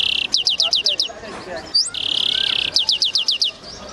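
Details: Reverse hybrid goldfinch singing: two runs of six quick, bright, rising notes framing a steady buzzy trill and a short upward-swept whistle, all high-pitched.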